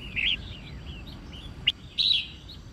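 Red-whiskered bulbul giving bright, liquid whistled phrases in short bursts, with a sharp chirp and a final rich warble; faint background hiss.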